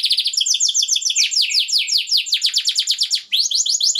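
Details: Male canary song meant to stimulate breeding: rapid loud downward-sweeping notes repeated in quick succession, shifting between several tours with one brief pause.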